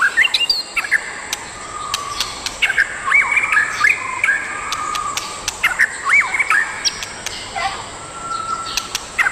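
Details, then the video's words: A pair of adult breeding white-rumped shamas in the wild; rich, varied whistles with slurred sweeps and sharp clicks, set against a steady high insect-like hiss. "Sepasang indukan burung murai batu di alam bebas"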